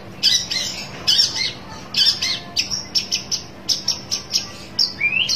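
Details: Long-tailed shrike seeking a rival: grating squawks in uneven bursts, the last few more evenly paced, ending with a rising whistled slur.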